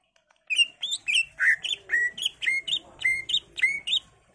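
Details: Greater green leafbird singing to prompt other leafbirds to answer. About a dozen clear, slurred whistles follow one another at an uneven pace, some rising and some dropping, each with sharp overtones.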